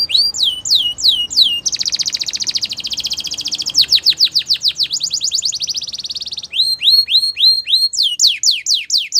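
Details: Morning song of a female Belgian canary, varied tours: rising slurred whistles, a dense buzzy trill, a quick series of falling sweeps, another buzzy roll, then bright upward-slurred notes repeated steadily.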